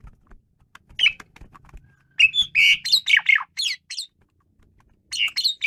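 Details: An Asian pied starling bursts into vigorous song after a few scattered notes, a dense run of rasping, squawky phrases lasting about two seconds, then silence and a short final outburst.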